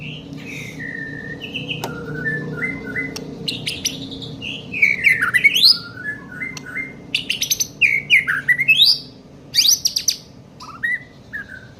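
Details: White-rumped shama, young bird, singing soft whistled notes that build into loud V-shaped sweeps and sharp rapid bursts, with a faint low hum beneath.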